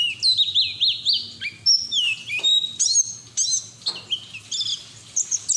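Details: Ngeriwik-style white-eye song, beak wide open, ngalas manner, meant to prompt untrained white-eyes to sing; a lively run of rising-and-falling whistled slurs followed by quick high twitters and sharp chips.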